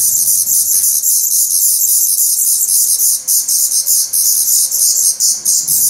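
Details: Hungry Black Redstart young calling in a Portuguese nest, 17 May 2020; an intense, steady wall of very high, buzzy, insect-like begging chirps pulsing rapidly for the whole stretch.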